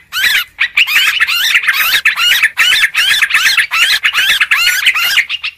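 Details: Yellow-vented bulbul in a noisy lure call: steady, dense chatter of twisting, bubbling notes grouped into rapid phrases of roughly half a second, repeated without a break.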